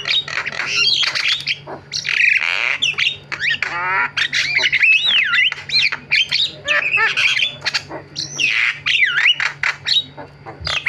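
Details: Javan myna with a long varied song: harsh squawks, a buzzy rattling trill, and loud looping whistles bending up and down, chaining quickly from one to the next.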